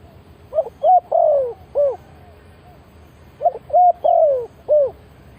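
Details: Spotted dove used as a decoy to lure wild birds, giving low cooing phrases of four notes: a short note, a level coo, a longer falling coo, then a final one. The phrase repeats twice about three seconds apart over faint background hiss.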